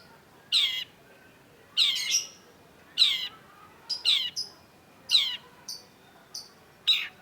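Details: Long-tailed shrike, a cendet played to coax another into song: harsh, grating downslurred squawks spaced roughly one per second, mixed with a few short high whistles.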